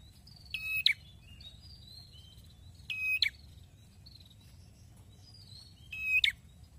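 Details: Red-headed prinia singing energetically: three harsh, buzzy phrases, each ending in a clipped flourish, spaced two to three seconds apart, with soft high whistles of other birds in the background.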